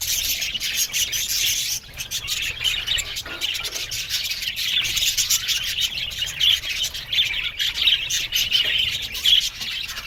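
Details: Aviary budgies in a constant chattering chorus of high twittering notes, a short quieter gap near two seconds, then busy overlapping chirps.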